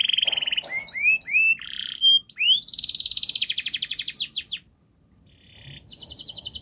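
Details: Canary song for teaching young canaries, long and fast: a buzzy note, rising whistled slurs, then a rapid rolled trill of repeated notes, a brief pause, and a high buzzy trill.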